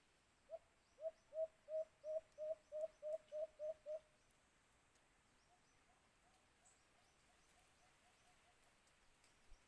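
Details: Alimokun, or white-eared brown dove, heard where birds are caught with a cage trap: about eleven quick hollow coos in a steady run over four seconds, then a fainter, softer series trailing off in the background.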